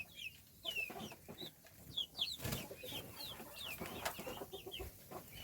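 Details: Feeding chicks utter a stream of shrill, downward-sliding chirps, some doubled. Soft rustling and a dull knock accompany them.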